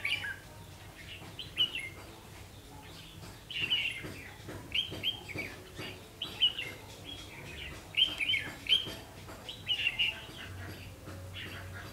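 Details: Red-whiskered bulbul used as a lure bird at a double spring trap, recorded 3 September 2016 at 5 pm: bright warbled phrases repeated every second or so, with a low hum underneath.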